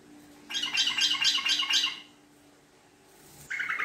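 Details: Sooty-headed bulbul lure song, a long chattering 'ngekek' style: a dense run of rapid harsh notes lasting about one and a half seconds, a pause, then another chatter begins.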